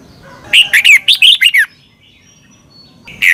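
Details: Red-whiskered bulbul from Thailand, a recording played to caged birds so they learn to sing: one tight phrase of about seven chirpy, warbling notes, a long pause, then a single final note.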